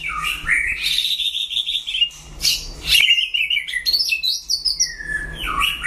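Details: White-rumped shama during a solo duel, singing high sustained whistles and buzzy warbled phrases that rise and fall, with sharp clicks between them.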